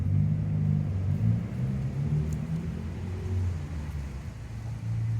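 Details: Loud, deep motor rumble from passing traffic with slight revving throughout, and no animal voices audible.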